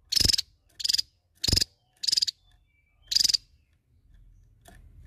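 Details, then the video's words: Javan tesia singing to challenge a rival: bursts of high, dense buzzy trills repeated about every 0.6 seconds, with short pauses between them. "TESIA JAWA Gacor N3mbak Memanggil Lawan"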